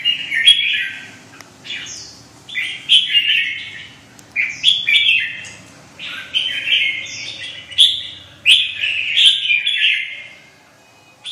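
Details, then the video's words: Red-whiskered bulbul with white wing feathers singing a long run of loud chirpy warbled phrases, each about a second, repeated steadily with brief gaps. "khủng long 01 lông cánh trắng vào lửa"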